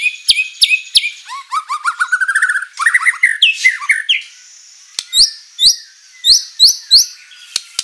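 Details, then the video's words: White-rumped shama (murai batu) in energetic lure song with fill-in material: sharp chips, a rapid rising run of notes, squeaky warbles, then a series of high upslurred whistles spaced about half a second apart. "MURAI BATU GACOR full isian materi mewah"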